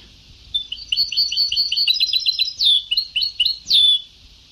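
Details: Old sabtawi (Ceuta-style) goldfinch singing tape: fast, bubbling series of high twittered notes, then a few louder buzzy slurs and a clear downward-sliding whistle, with faint constant hiss.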